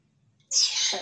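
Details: A pet grey parrot (Jaco) imitates human speech with a short, breathy, hissing word like a whispered "shh", possibly "тише" ("quiet"), after half a second of near-silence.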